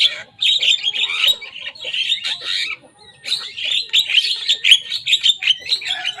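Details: Young Javan myna in full song, mimicking the songs of rival birds: dense harsh, scratchy warbling with grating chatter and sharp squeaks, one short pause midway, then continuous rapid phrases.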